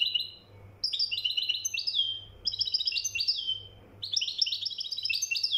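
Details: European goldfinch from Morocco, mkhantar style, gives three energetic phrases of rapid chattering, tinkling notes, each ending in a buzzy slur, with short pauses and a faint hum.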